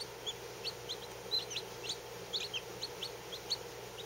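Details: Lavender Orpington chicks less than 24 hours old, kept under a heat lamp; bright, short peeps, some slurred downward, come in quick scattered bursts over a faint background hum.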